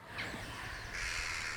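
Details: A single Western jackdaw's alarm calls are played back through a speaker hidden in grass during an experiment: two harsh, scratchy calls, a brief one then a longer rasping one, over a low rumble. The calls draw a cautious flock, some hovering over a fox.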